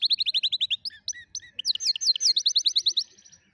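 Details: Canary singing for young canaries to learn from: a quick trill of high notes, a pause of scattered chirps, then a varied run of bright sweeping notes and a fading trill.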